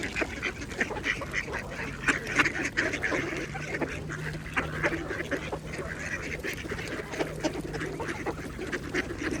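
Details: Mallard ducks feeding at a pond, a dense chorus of harsh quacks and clucks mixed with splashing water, with a steady low hum running through the middle.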